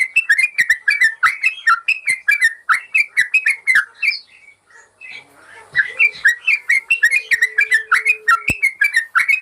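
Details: Yellow-vented bulbul song for teaching caged birds: fast, liquid, bubbly whistles repeated without pause, breaking off briefly near the middle with a few soft notes, then returning just as rapid and loud.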